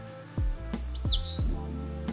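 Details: An Eastern Crowned Warbler, heard while walking on a fine, mild day in northern Harima, Hyogo, Japan, gives one high, thin, slurred phrase about a second long over low thumps and a steady low hum.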